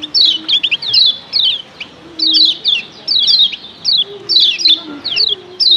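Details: Female and male kecial kuning calling together, used to stir up other kecial: clusters of quick, high, downward-slurred chirps in uneven bursts, separated by short gaps, over soft low background tones.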